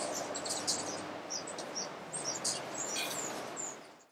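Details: A Fawn-breasted Brilliant (Heliodoxa rubinoides aequatorialis), Alambi Cloud Forest Reserve, Ecuador, May 2012, gives thin, very high chips and short squeaky notes at irregular intervals over a steady rushing background hiss.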